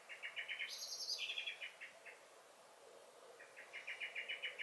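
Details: Common blackbird in a garden on 23 May 2021, giving rapid runs of sharp, evenly spaced chinking alarm notes, broken by a brief high squeaky phrase that slides downward, then the chinking series starts again.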